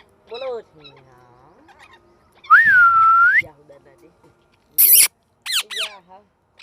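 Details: Talking parrot kept as a pet, chattering nonstop: a long smooth whistled note that dips and then rises, surrounded by short harmonic speech-like syllables and a few sharp bursts, with quiet gaps between.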